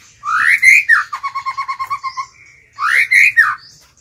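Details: White-rumped shama, a kept decoy bird, singing to call and provoke wild birds: loud rising whistled phrases, then a fast series of about ten even notes, then another rising whistled phrase.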